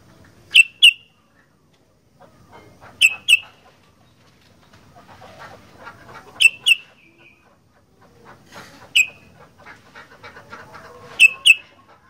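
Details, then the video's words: Sooty-headed bulbul as a vocal 'fighter' bird: pairs of clipped high chirps every two to three seconds, with soft twittering and murmur between them. "Burung Kutilang Gacor Fighter"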